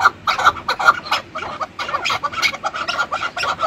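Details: Rapid, rough chuk-chuk clucks from chukar partridge run together in an uneven, chattering series with a few sharper accented notes.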